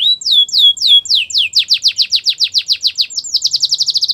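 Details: Canary singing a training song meant to woo other canaries: a run of descending whistled sweeps that speed up into a rapid rhythmic series, about three and a half notes a second, ending in a quicker trill.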